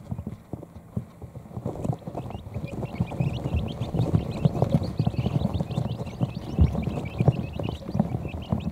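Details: Quail chicks just hours old huddling under a brooder heat plate to nap; faint at first, then a growing stream of high thin peeps over steady low rustling and occasional thumps.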